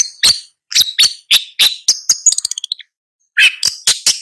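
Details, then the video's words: A long-tailed shrike gives several rasping notes, then a quick run of small ticking notes, a short silence, and more rasping calls. "Long-tailed Shrike Bird Song, Sound, Call, Chirp, Melody"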